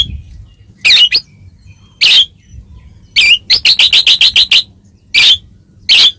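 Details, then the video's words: White-rumped shama sounds meant to get other shamas singing: short harsh, noisy chatters spaced apart, then a quick rattling run of about eight grating notes, over a faint low background hum. "masteran burung murai mewah"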